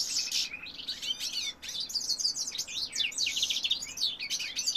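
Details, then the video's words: Singing male European goldfinch: quick rattling trills open the phrase, followed after a brief gap by a lively cascade of high, twittering, liquid notes. "goldfinch cock singing"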